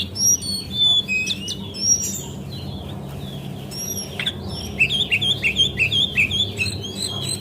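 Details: Lure recording of a female Javan white-eye (cingcoang, brown jongkangan) meant to prompt singing: sharp high whistles early, a quieter gap, then a fast run of repeated wavering chirps, with a constant low hum behind.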